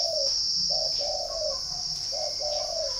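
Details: Spotted dove in northern Vietnam, at a bird garden in Ba Vì, Hanoi, cooing rapidly: a falling note, then two phrases of short coo plus longer sliding coo, with a persistent high insect whine behind.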